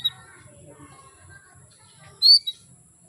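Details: Female canary calling to males, used to bring them into breeding condition and get them singing: one short, sharp, sweeping chirp late in the clip, with a fainter echoing note just after, over quiet low background noise.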